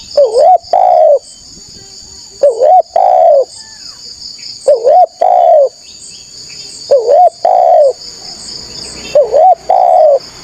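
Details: Spotted dove calling hard and often, a sound for luring wild doves: five evenly spaced phrases of a wavering coo then a longer hollow note, roughly every two seconds, with a faint high drone behind.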